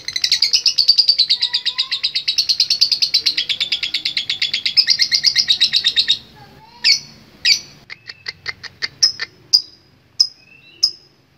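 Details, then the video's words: A lovebird delivers a long ngekek, a dense high-pitched chattering rattle lasting about six seconds, followed by a run of separate sharp chirps and short clicks spaced irregularly. "Love Bird Gacor Ngekek Panjang"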